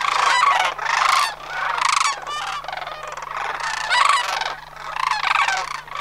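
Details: Sandhill cranes migrating from Homer in September 2009, a large flock: repeated loud, vibrating bugles overlap in waves about once a second, many birds calling together.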